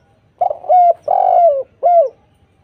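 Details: Spotted dove song used as a lure recording to draw replies from other doves: a brief rough note leading into three soft coos, a long drawn-out falling middle coo between two shorter ones.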